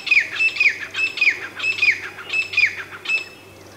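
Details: Grey francolin, known locally as teetar, calling in a series of loud, sharp notes, each a high whistle that bends downward, repeated about every half second, with a low steady hum beneath.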